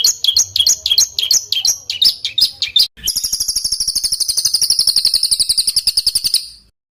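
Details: Songbird with a tight, rough rolling song used as training material for competition fighter birds: choppy high notes in quick bursts, then an abrupt switch to a dense, fast, buzzy trill held for over three seconds.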